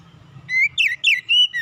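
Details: Short phrase of Oriental magpie-robin song used to lure young birds to sing: four clear whistled notes, some slurring downward and one held level, over a faint low hum.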